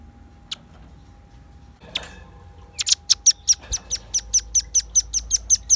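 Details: Velvet-fronted nuthatch, called 'gacor' (singing actively). Faint isolated notes come first, then a fast series of sharp, very high chipping notes, about two or three per second, over a low steady hum.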